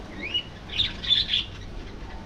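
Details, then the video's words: Budgerigar colony in an aviary; a short rising whistle is followed by a burst of bright, scratchy warbled chatter, then quieter background twittering from the flock. "Budgie Life: Singing, Gossiping, and Hilarious Adventures!"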